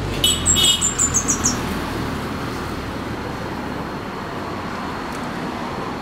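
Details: Fire-breasted flowerpecker singing in the wild: a quick series of thin, very high ticking notes descending slightly in about one second, followed by a steady rushing background hum like distant traffic.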